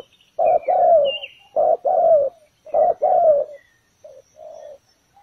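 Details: Ground decoy spotted dove set out to lure doves to a trap. It gives three loud paired coos, each a short hoot followed by a longer sliding note, then two soft trailing coos. A thin higher bird note is heard near the start.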